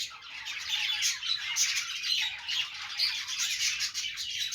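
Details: Several budgerigars chirp and squawk while playing, a thick, high, warbling chatter that barely dips in loudness.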